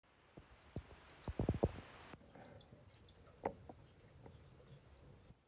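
Painted finch giving thin, very high chirps in short bursts through the clip, over soft tapping and scratching knocks.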